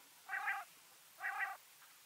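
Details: Two drawn-out nasal, buzzy-toned calls with layered overtones, about a second apart, from a backyard bird in Washington State.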